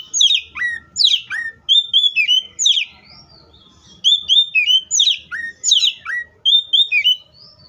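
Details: Oriental magpie-robin singing repeated phrases of loud whistles with sharp downslurs, each phrase roughly every second and a half, delivered in a steady rhythmic series.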